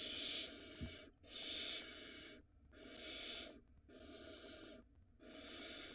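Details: Barn owl pair at an Israeli nest box, with the male passing a mouse to the female to feed their nestling. Harsh, airy, snore-like hisses of about a second each repeat steadily, roughly 44 per minute, with short gaps between them.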